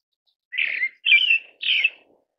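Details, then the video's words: Pale thrush (Turdus pallidus) giving three short, slightly buzzy whistled notes, roughly half a second apart, each with a slurred, wavering pitch; no other sounds in the background. "白腹鶇/ Pale Thrush"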